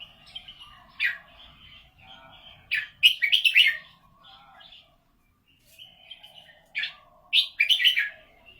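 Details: Golden-voiced red-whiskered bulbul from a cage bird setting: rich warbling phrases of fast bubbly notes, repeated every few seconds, linked by softer twittering and a faint steady hum.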